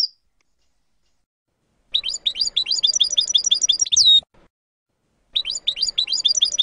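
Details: European goldfinch song segment, one of several expert-approved song sections compiled into a full training tape: rapid series of high, sharp twittering notes repeated several times a second, broken by silent pauses, with one longer upward-sweeping note.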